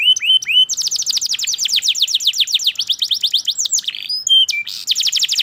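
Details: Caged-style canary song opening with three repeated whistled notes, then a long rapid cascade of descending trills, a few sharp chips and a final quick trill.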